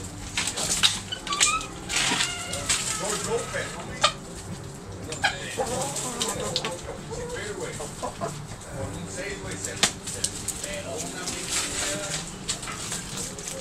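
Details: Backyard chickens, roosters and hens, pecking and scratching; irregular clucks and occasional sharp, louder squawks recur across the recording over a constant low hum.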